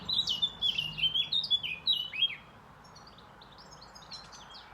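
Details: Birds chirping, heard as a run of quick high sweeping chirps repeated about three times a second for two seconds, then fainter scattered high twitters over a quiet background.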